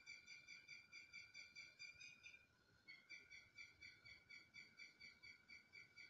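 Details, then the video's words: Red-wattled lapwing giving loud, strident, harmonic-rich notes, repeated about twice a second in a steady series with a brief pause midway. "Red wattled lapwing sound"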